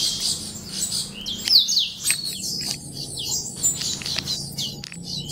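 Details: Chicks of the Yellow-rumped Seedeater, subspecies somereni, giving dense, high-pitched chirps that overlap continuously. Thin rapid notes and short downward slurs run without a break, with a brief louder burst near the middle and a faint low hum underneath.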